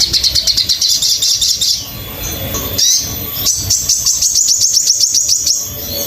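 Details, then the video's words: Sogon master recording for song training: a fast, buzzy run of high repeated notes, a short noisy lull, then another quick, rhythmic trill of sharp, high chirps. "MASTERAN BURUNG SOGON"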